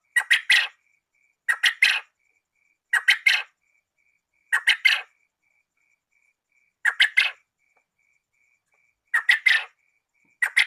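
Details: Male and female quail, used as a lure for trapping: harsh, buzzy triple bursts repeated about every two seconds, with a faint steady high tone running underneath.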